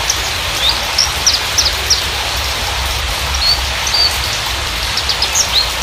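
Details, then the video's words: Parva-type Javan bushlark (branjangan), lure song to coax raw or non-singing birds: a run of sharp high chirps and brief rising and falling whistles, fairly continuous, against steady background hiss. "Pancingan branjangan parva bahan atau macet bunyi"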